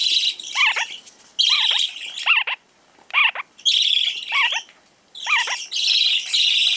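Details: Newly arrived lineolated parakeet at a Fukuoka pet shop, lively and described as rare, uttering short falling chirps in pairs and triplets, spaced by pauses, against steady loud hissing noise.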